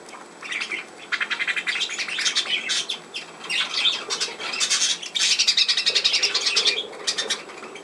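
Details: Budgerigar producing a continuous stream of harsh buzzy squawks and high chirps, growing denser and louder toward the middle.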